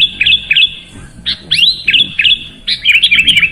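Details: Sooty-headed bulbul song used to coax a reluctant caged bird into singing, with clear whistled phrases around the same pitch, short notes and quick slurred upsweeps, repeated in bursts about every half second, some rapid twittering at the end.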